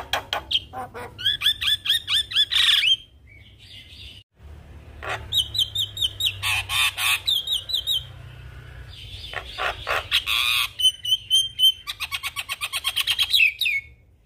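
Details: Javan myna in energetic song full of fill-in phrases: fast trains of repeated whistled notes, harsh squawks and rasping bursts, a brief pause midway, then rapid chattering runs of whistles.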